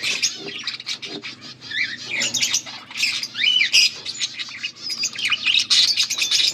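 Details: Several budgerigars chirping together, dense overlapping warbles, squawks and buzzy notes, high-pitched and continuous with short pauses, over a faint low hum.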